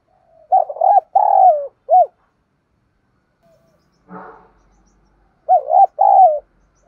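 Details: Two 'thúc' style contest coo phrases of a spotted dove, each a stutter, a drawn-out descending coo and a brief arched note, separated by a short low rumbling noise in the silent gap.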